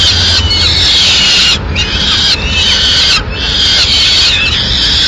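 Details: A female peregrine falcon brings a pigeon to the nest in Madrid on 6 May 2016. Long, grating screams last over a second each, with three short pauses between them, above a faint low rumble.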